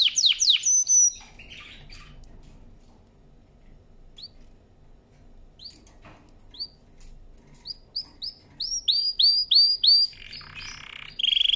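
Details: Canary singing a training song: a loud opening flourish, a quiet gap with sparse chirps, then a run of rising upswept notes and a brief buzzy ending.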